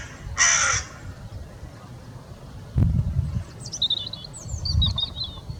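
A crow gives a single harsh, rasping caw, followed by faint high chirps from smaller birds and low rumbling background noise.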